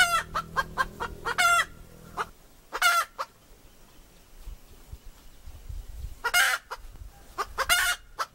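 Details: Real hen voice: rapid runs of harsh, buzzy clucks, then a pause, then more loud squawking clucks, with low rumbling background noise early on.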